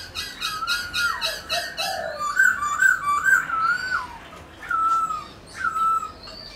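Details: White-browed laughingthrush song opening with a rapid stack of repeated high notes. It moves into wavering, warbled whistles that rise and fall, with pauses between phrases.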